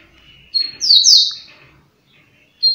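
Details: A Double-collared Seedeater sings a fast "flash" song, about 30 songs a minute: a brief burst of high, bright notes, a thin whistle and a pair of sharp descending chips, then a final clipped note after a pause.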